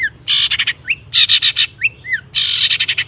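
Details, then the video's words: Long-tailed shrike giving harsh material within a mimicry-filled lure song for other shrikes: three loud grating, scratchy bursts, each trailed by stuttering notes, separated by short rising whistled slurs. "burung cendet gacor ISIAN AMPUH untuk PANCINGAN CENDET AGAR BUNYI bikin BURUNG PENTET GACOR SEKETIKA"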